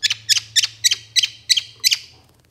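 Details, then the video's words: Long-tailed shrike (cendet), a moulting bird in full voice, used as a lure to make captive shrikes sing: seven sharp, bright double notes repeated evenly about every quarter second, then a fading tail, with a faint low hum beneath. "PANCINGAN SUARA CENDET MABUNG GACOR"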